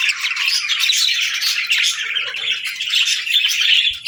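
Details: Singing budgerigars make a steady, busy wall of chirps and warbled twitters with no pauses, as many birds call at once.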